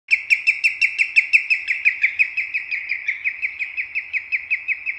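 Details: Common greenshank singing: a fast, steady series of clear, ringing notes, about five per second, holding one high pitch and fading slightly toward the end, with no other sounds.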